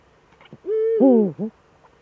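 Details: Eurasian eagle-owl pair back in the Eifel, Germany, 11 March 2013 at 18:47. A steady level tone slides straight into a loud wavering, falling call, then one short closing note. The background is quiet.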